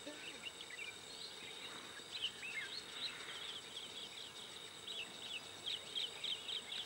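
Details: Blue-cheeked bee-eaters taking a sand bath give short, rolling chirps in quick, uneven bursts, several notes a second, over a steady high background hiss.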